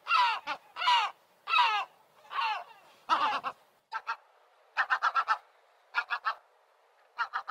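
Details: A seagull gives loud, harsh, drawn-out cries, then switches to quick clipped notes delivered in rapid runs of three to five, with quiet gaps between.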